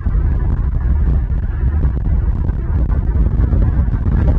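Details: A loud, deep roar of wind or engine noise dominates throughout, with no animal sounds heard.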